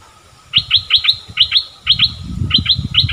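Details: Streak-eared bulbul decoy bird luring wild birds in January 2021, its first wild captive of the year: quick bursts of bubbly chirped notes in pairs and triplets, separated by short pauses, over low rumbling background noise.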